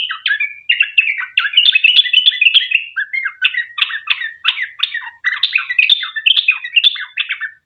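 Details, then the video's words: Sooty-headed bulbul's long 'ropel' song, used as a lure so other bulbuls start singing. Rapid, slightly irregular chattering notes at about three per second continue with short breaks throughout. "Trucuk gacor ROPEL PANJANG buat pancingan trucukan agar bunyi"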